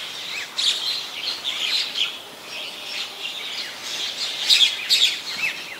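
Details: White-vented myna (Acridotheres grandis) in Ubon Ratchathani, Thailand, on 21 October 2021, giving harsh, scratchy chatter mixed with squeaky whistled notes, high-pitched and irregular, about twice a second, over a soft outdoor background.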